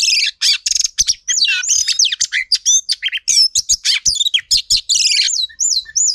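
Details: Female Oriental magpie-robin delivers training song meant to excite males: long, varied, rapid phrases of clear whistles, rising and falling slurs and buzzy trills, ending in a few looping whistled notes.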